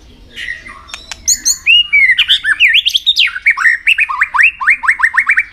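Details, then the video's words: Contest-training White-rumped shama song: scattered high notes and clicks open into loud, rich whistled slurs, ending in a fast series of repeated upward-flicking notes. "luyện giọng chòe lửa hót kích chòe lửa nhanh căng lửa"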